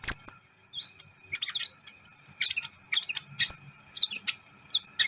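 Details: Kolibri ninja sunbird in busy song for training other birds to excite them: a quick, jumbled stream of thin, very high twitters and chips with brief slurred notes.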